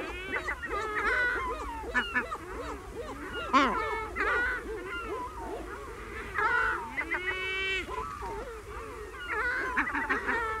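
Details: Herring gulls calling in a colony: a dense overlapping chorus of drawn-out mewing wails and short yelping notes. Bursts of rapid laughing calls rise near the end above the steady din of many birds.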